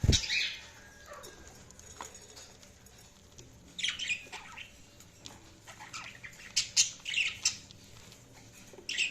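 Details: Budgies chirping in short scratchy bursts, spaced irregularly with quiet gaps, then a busier run of sharp chirps toward the end.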